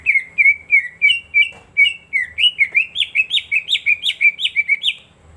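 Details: Greater green leafbird (cucak ijo) lure song played as day-and-night therapy for silent birds: fast series of sharp whistled chirps near one pitch, roughly three per second, later notes slurring upward, with faint low hum.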